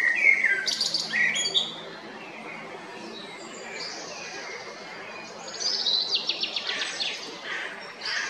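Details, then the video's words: A male common blackbird sings short mellow phrases breaking into high, scratchy twittering, repeated over steady hiss; recorded 22 April 2021 at Jarun, Zagreb, Croatia. "Kos, mužjak (Turdus merula)"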